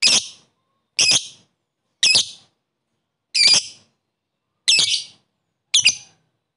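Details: A lovebird calls a rival to whip up the other lovebirds, producing six separate shrill, rasping calls spaced roughly a second apart with silence between.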